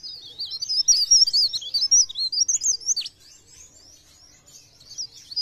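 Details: High, rapid, warbling twitter from a mountain leaf warbler in pre pare, blereng gacor style, played as a trapping lure; continuous wavering notes for three seconds, then softer scattered phrases.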